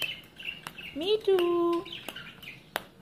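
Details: Pet green rose-ringed parakeet talking: a loud, low voiced sound that rises and then holds steady for about a second, with short higher chirps before and after and a few sharp clicks.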